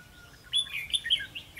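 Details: Red-whiskered bulbul singing during a trapping session with a decoy on 11 November 2016: one short, loud, bubbling phrase of clear whistled notes rising and falling, with a quiet background.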